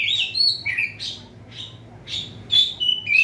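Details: Caged oriental magpie-robin singing inside a covered cage to provoke rivals: varied whistled and chirping phrases, some sliding, repeated in quick bursts with brief gaps, low steady hum underneath.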